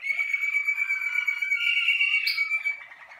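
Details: Close, loud Malinois Waterslager canary on one of its first singing-cabin outings: a bright, sustained flute-like whistle with strong overtones, briefly rising in pitch, cut by a sharp high note, then a softer buzzy roll.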